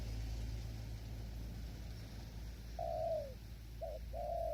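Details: Spotted dove during decoy trapping, strong wind blowing and wild doves far off: heavy low wind rumble at first, then a long falling coo, a short note and another sustained coo near the end.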